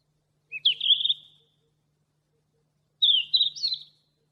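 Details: Yellow-rumped flycatcher near Bogor singing two brief phrases about two and a half seconds apart, each opening with a rising whistle and running into a fluttering, slurred warble, with a faint low hum underneath.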